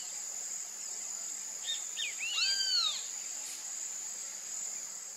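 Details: Bem-te-vi, the great kiskadee (Pitangus sulphuratus), whose local name echoes its voice. One loud phrase of short clipped notes leading into a long, ringing, downward-arching final note. Constant high insect buzz in the background.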